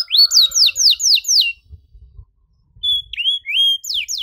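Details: Domestic canary in lively 'gacor' song with the 'cengkok mewah' style, meant for young canaries learning to sing: about five bright, down-slurred whistled notes in quick succession, a short pause, then a level whistle and more sweeping notes.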